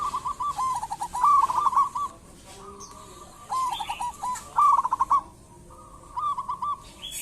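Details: Local zebra dove singing, used as a lure to prompt other birds to call: bursts of rolling, trilled cooing notes near one pitch, separated by quieter stretches, with faint distant calls from other birds.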